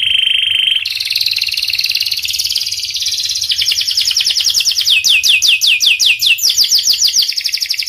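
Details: Panda canary in lively, continuous song: a steady high whistle, then a buzzy trill that shifts into rapid repeated downward-sweeping notes, about two per second, growing louder and sharper.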